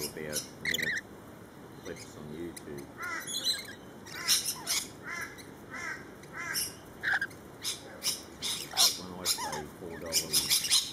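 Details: Flock of lorikeets in a feeding frenzy, with continuous overlapping harsh screeches and rasping chatter in irregular bursts and low human voices faintly underneath.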